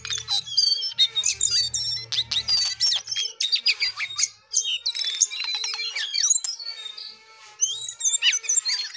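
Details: Loud, rapid jongkangan song made of sharp clicky chirps and squeaky notes in dense bursts, with a low rumble early on and a short quiet gap near the end.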